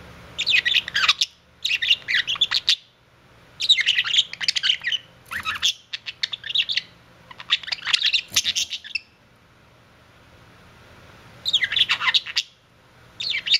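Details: Budgerigars kissing, with bursts of high, scratchy chirps and warbling chatter about a second long each, separated by short quiet gaps.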